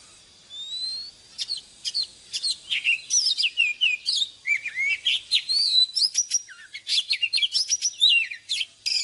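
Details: An oriental magpie-robin's morning song for training caged birds. A thin rising whistle leads into dense, varied phrases of bright whistles, down-slurred notes and clipped chirps, delivered fast and continuously.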